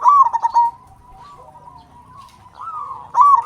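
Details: Local zebra dove singing strongly as a lure for silent doves: a loud trill of clipped coos opens and closes the passage, with faint, drawn-out cooing from other doves between.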